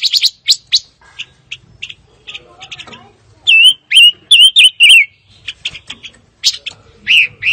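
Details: Fire-tailed myzornis with rapid high chirps at the start, a run of loud warbled whistles with dipping pitch in the middle, then more spaced sharp notes.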